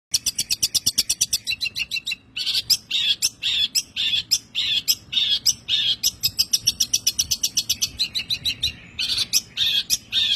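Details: Long-tailed shrike singing a full 'tembakan' style song, used as a tutor recording for songbirds: fast runs of sharp, high chattering notes in bursts, with dense rattling trills between brief pauses.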